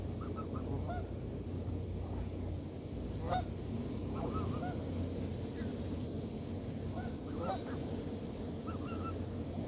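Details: Canada geese honking in scattered groups of short upward-inflected notes, some loud and close, others softer, against continuous low-pitched background noise.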